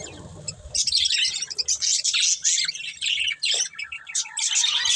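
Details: Budgie breeding pair chirping: a quiet, muffled start gives way to lively bursts of scratchy warbled twitter and quick chirps in uneven pulses.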